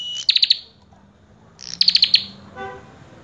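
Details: Song of a common tailorbird: two quick trains of shrill, repeated high notes about a second and a half apart, followed by a brief softer buzzy note, over a quiet low drone.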